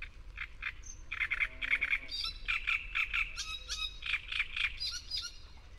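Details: Great reed warbler in Córdoba singing loud, harsh, croaking phrases of chattering notes, some repeated two or three times, with a few higher squeaky notes mixed in.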